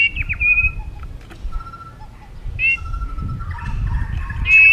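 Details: White-rumped shama in contest singing: sparse clear whistles, a few sharp down-slurred notes, long level mid-pitched tones and a final rising whistle, with pauses between phrases and low background rumble.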